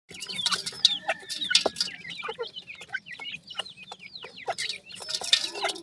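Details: Grey francolin chicks, a recently hatched brood: a dense chorus of high, downslurred peeps from many chicks overlapping, with scattered sharp clicks and a soft low murmur underneath.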